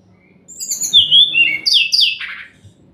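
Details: Sumatran laughingthrush song used as a lure to make silent birds answer. Loud, high whistled phrases slur downward in quick succession, followed by two sharp rising-falling notes and a lower trailing whistle, over a faint low hum.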